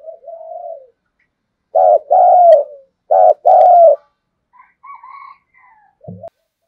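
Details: A decoy spotted dove luring wild birds gives a soft slurred coo, then two strong paired phrases, each a pulsed note and a longer falling note. A faint higher whistle-like sound and a brief thump come afterward.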